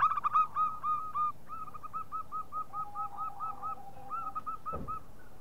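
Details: Zebra dove of a local type, played as a lure call: a bright burst of cooing notes, then a fast, even series of soft rounded coos repeated about three times a second, with a brief thud near the end.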